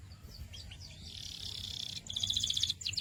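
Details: Canary song, somewhat faint, with soft scattered chirps building into a buzzy high trill, then a brighter pulsed rattle and a last burst, over low background rumble.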